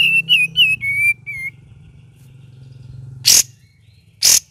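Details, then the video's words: Cream-vented bulbul singing in the gacor and ngeriwik style. About five bright whistled notes, slightly wavering, open the passage. A low droning hum and two harsh, noisy bursts follow. "KAPAS TEMBAK VARIASI GACOR DAN NGERIWIK"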